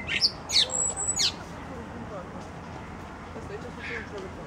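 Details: Thrush singing from a branch: a short burst of high, sharp whistled and chirped notes in the first second or so, then only a faint murmur of background noise.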